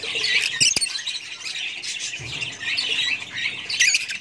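Kingfisher giving harsh, squawky high chatter that runs almost without a break, with a couple of sharp clicks near the start.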